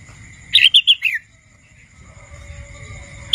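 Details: Young wild red-whiskered bulbul still learning its song gives a phrase of four clear whistled notes ending in a downward slur. A low rumble and a steady high tone follow, and a new note starts at the very end.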